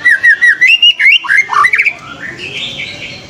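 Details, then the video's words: White-rumped shama, a fighter bird seeking an opponent, delivers loud clear whistled notes: about eight quick repeated phrases rising and falling, then a sliding jumble of slurred notes that fades into softer chatter. "MURAI BATU FIGHTER CARI LAWAN"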